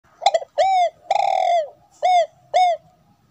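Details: Female spotted dove cooing to stimulate a male to call: two quick stuttering notes, then a series of mellow, hollow coos, one notably longer and drawn out, each dropping slightly in pitch at the end.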